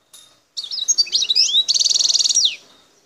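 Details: Wild European goldfinch recorded near Bouteldja, El Tarf, Algeria. A faint note is followed by lively swooping twitters, then a fast, ringing trill of closely repeated notes ending in a downslur. Soft background hiss is present.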